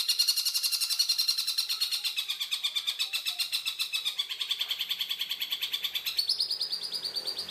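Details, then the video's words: Master recording of a tengkek buto in full song, used to train songbirds: long fast chattering series of coarse buzzy notes, roughly seven each second, starting loud and easing slightly, with a shift to a higher, thinner rattle near the end. "TENGKEK BUTO Gacor Jernih Suara Aneh Kasar"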